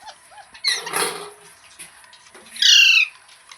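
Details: Loud, flat-toned, harsh parrot squawk with strong harmonics near the end, preceded by a burst of rustling or flapping-like noise and faint short calls.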